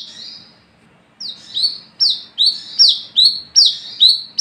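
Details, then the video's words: Singing at night to lure others, an olive-backed sunbird (wiceh) gives a 'gacor ngalas ngeplong' song: a soft lead-in, then eight loud, high downslurred buzzy notes repeated steadily about every 0.4 seconds. "SUARA BURUNG WICEH (KOLIBRI KELAPA ) GACOR NGALAS NGEPLONG / PANCINGAN KOLAP"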